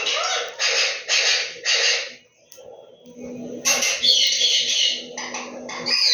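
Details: Pet Indian ringneck parakeet in talking mode, one of a household pair of green and yellow ringnecks: four harsh, raspy bursts in quick succession, a short pause, then a louder scratchy phrase with a whistled tone and several brief grating notes to the end.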